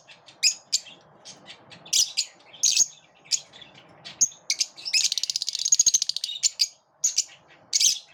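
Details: A group of lovebirds, repelling each other, fills the air with high chirps and squawks; midway comes a rapid, buzzy rattling burst lasting over a second, then single sharp notes again.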